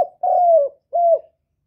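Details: Vietnamese recording of a spotted dove's coo in the 'hạp bổi' style, used as trapping playback: a long, soft, slightly falling hoot followed after a brief pause by a shorter matching coo, with no background noise.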